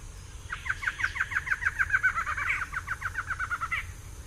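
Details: A pair of barred antshrikes duetting: a rapid, accelerating series of about twenty hollow barking notes, overlapping and slightly offset between the two birds, ending in a higher emphatic note; faint low background rumble.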